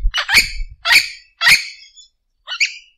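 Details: An Orange-winged amazon (Amazona amazonica) gives four harsh, raspy squawks about every half second, the last one thinner and shorter, with a little low rumbling at the start.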